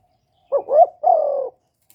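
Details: One phrase from a captive decoy spotted dove calling to excite other kept doves: two short rising wavering notes, then a sustained, gently falling coo of about half a second.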